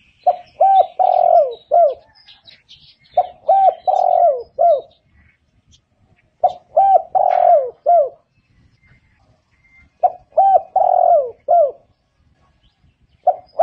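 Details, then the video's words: A spotted dove gives repeated low, soft cooing phrases of four or five hooted notes, a couple of seconds apart, with faint chirps from other birds behind. "សំលេងសត្វលលកត្រូលពិរោះ / Good sound of spotted dove"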